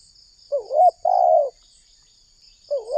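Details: Indonesian spotted dove lure call for wild doves: a hooked note and a long hoarse coo, then after a pause the next phrase begins, over a constant faint high-pitched whine.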